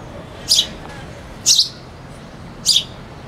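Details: Sparrow giving three short, sharp high chirps, each a quick bright burst spaced roughly a second apart, over a faint steady hiss; no other birds clearly heard.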